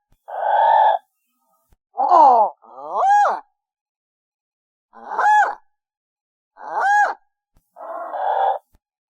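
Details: Pelican in a coastal setting, a series of six hoarse, moaning calls spaced about a second apart, some nasal with stacked tones, others rougher grunts, each lasting under a second against a silent background.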